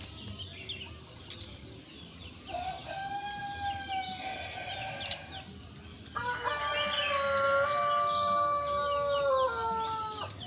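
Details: Village chickens: a somewhat distant rooster crows a long drawn-out cock-a-doodle-doo, then a second, louder and rougher crow follows at once and holds for several seconds over a low background murmur.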